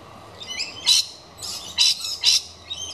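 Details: A galah inspects a nesting box meant for kookaburras, giving short, harsh, rasping screeches in quick succession, with thin whistled overtones between the louder notes.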